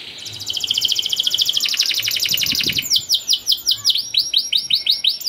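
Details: Canary (kenari) song for training young birds to sing: a long fast buzzy rolling trill that steps down in pitch, followed by a regular series of loud downward-swept whistles about three per second.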